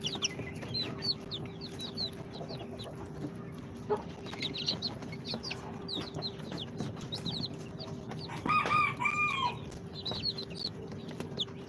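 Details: Chicks of Sultan, Golden Sebright, Cochin and booted breeds, two days out of the incubator. Intermittent high peeps, with one louder, clearer chirping call near the end, over a constant hum.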